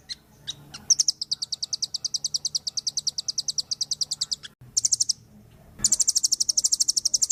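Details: Velvet-fronted nuthatch in full song: a few opening chips, then a long, even trill of sharp high notes, a short break, a quick burst, and a final fast, bright rattle.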